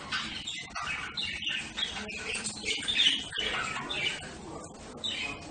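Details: Budgerigar warbling at moderate volume, a steady stream of scratchy, twittering chirps with a slightly louder peak in the middle.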